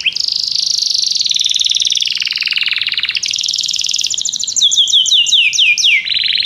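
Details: Belgian canary singing, played to prompt silent canaries: a long continuous buzzy roll shifting to a higher pitch, then a cascade of sharp descending sweeps and a final steady trill.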